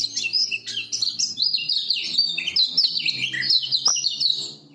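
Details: Lemon-bellied white-eye of Lombok giving master song meant to lure silent birds into singing: a continuous, loud, fast stream of high sweet twitters and slurred whistles, with a faint low hum underneath.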